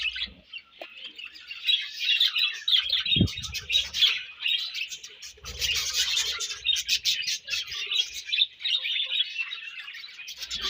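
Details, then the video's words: A flock of budgerigars at feeding and food exchange pours out loud, rapid, scratchy chirping and warbling for over ten seconds, with a single sharp knock early on. "Búdǵíéś Fúń & Ćhíŕṕíńǵ śőúńdś"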